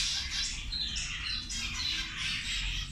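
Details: Zebra finches feeding call in bright, nasal, high beeps, some rising and some falling, overlapping in a lively chatter over low background noise.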